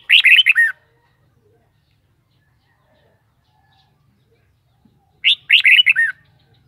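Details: Two matching warbled phrases from a red-whiskered bulbul about five seconds apart, each a fast burst of bright, slurred whistled notes, with silence in between.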